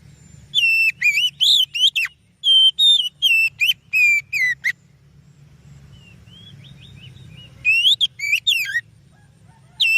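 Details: Lure song of an oriental magpie-robin: bursts of varied, rich whistles and quick slurred notes, then a pause of a few seconds with a low hum before the whistling resumes strongly.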